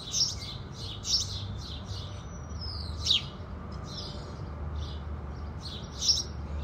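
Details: House sparrows singing in the morning at sunrise. Sparse bright chirps are joined by one long, thin descending whistle midway, with quieter chirps behind and a low rumble throughout.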